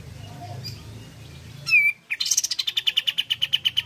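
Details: Lively Malaysian pied fantail singing as a lure to set off other fantails: a bright descending whistle, a short pause, then a quick, steady string of high piping notes, around sixteen in under two seconds, over low background hum.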